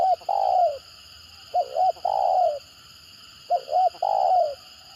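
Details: Stuttering 'gagap' cooing of a spotted dove, a lure style said to make other birds answer eagerly. Three phrases about two seconds apart, each a quick doubled looping note followed by a long, gently falling coo.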